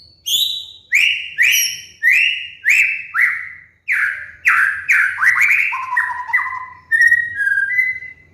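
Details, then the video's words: White-rumped shama (murai batu) master song for training caged songbirds and provoking birds in moult to sing: a run of about ten loud, downslurred whistled notes repeated roughly every half second, followed by varied lower slurred and trilled phrases. "PANCINGAN MURAI BATU | MASTERAN BURUNG MABUNG"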